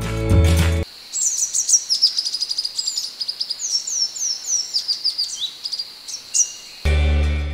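Small Minivet giving thin, high, sweet tsee-tsee notes in quick strings, many of them rising or falling. Brief music opens and closes the recording.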